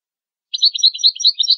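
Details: Goldfinch song meant to teach young goldfinches and hybrids: fast liquid twittering, high and jangling, starting after half a second of silence and running without pause.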